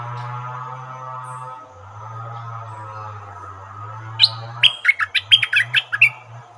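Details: Caged decoy stripe-throated bulbul singing against captured wild birds: after a steady low hum, a burst of short, bubbly, rapidly repeated notes jumps between mid and high pitches for about two seconds.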